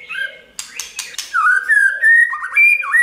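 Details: White-rumped shama song to prompt singing: a few soft whistles, a burst of dry clicks, then sustained pure whistled notes stepping upward.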